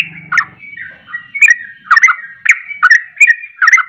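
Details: Agitated sooty-headed bulbul in ropelan song aimed at stirring other bulbuls: slurred whistled notes repeated roughly twice a second, with a low rumbling noise at the start.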